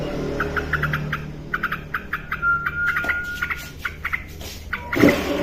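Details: Female yellow-vented bulbul, actively singing, repeats quick groups of clipped notes, then holds one long level whistle. A loud broad rustle ends the recording.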